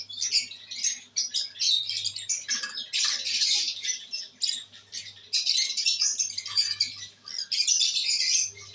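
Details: Pet lovebirds, albino red-eyed, enjoying the day on 5/09/23: near-constant raspy, high squawking and chattering in long rough bursts with brief gaps, plus an intermittent faint low hum.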